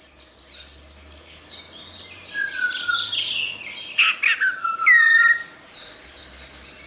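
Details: Orange-headed thrush singing, used as therapy for a bird that has stopped singing: a loud, varied mix of clear whistled slurs and rapid high chattering phrases. Brief pauses separate bursts. A faint low hum sits underneath.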